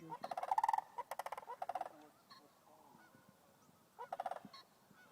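A crane gives loud, rattling, trumpeting calls in quick bursts of several notes, then a short pause before another burst.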